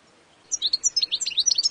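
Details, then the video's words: Brief burst of wild European goldfinch song: a quick sequence of sharp, high tinkling chirps and twitters lasting just over a second. "Wild European goldfinch song (Carduelis Carduelis) تغريد حسون خلوي"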